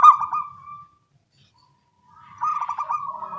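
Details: Morning song of local zebra doves calling back and forth; a bubbly stuttered coo trails off into silence, then a fresh rolling, vibrating coo phrase begins.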